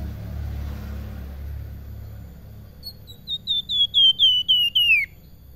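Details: Salakan in lively song with sweet flute-like whistles: after a quiet start with low rumble, a rapid run of about eight pure whistled notes, each slurring slightly downward, the last dropping sharply.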